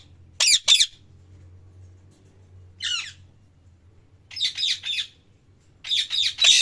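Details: Parrot giving loud, harsh high squawks in short clusters, a double burst, a single call, then runs of three to four, with a low hum underneath.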